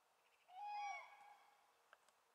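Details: One common crane gives a single half-second bugle. The call is a loud, rich, level trumpet note. The bird has just returned in spring and stands on a misty floodplain at Rożdżały, Poland, on 18 February 2017.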